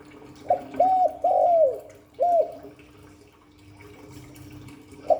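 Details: Hạp Bổi voice of a spotted dove: one phrase of a short hoot, an arched coo, a long falling coo and a separate closing coo, then quiet hum before a new note.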